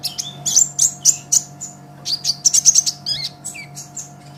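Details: Vigorous olive-backed sunbird song meant to tutor songbirds: rhythmic bursts of shrill, sparkling chirps, then a few downward-sliding squeaks, with a steady hum beneath.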